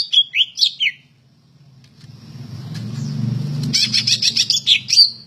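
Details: Greater green leafbird, said to be ready for contest hanging, giving a few loud slurred whistles, then over a low rumbling background noise a fast series of high chattering notes ending in whistles.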